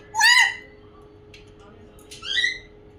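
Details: African grey parrot kept as a pet mimicking a crow, giving two hoarse, squawky calls, the first louder and rougher, the second shorter and thinner, over a quiet room hum.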